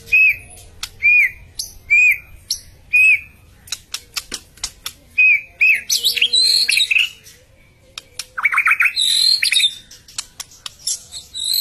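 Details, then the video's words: Songbirds visiting a big red teacup feeder give short curved whistled chirps repeated about twice a second, then busier rising and falling twitters and trills, with faint knocking sounds between the calls. "Bird singing and chriping beautiful birds singing and chriping on the big red tear cup bird feeder"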